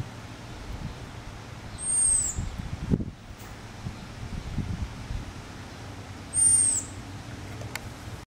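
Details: In Regina, Saskatchewan, Canada, on 20 July 2014, an American robin gives a not-often-heard call: two very high, thin, slightly arched whistled notes about four seconds apart over distant traffic rumble.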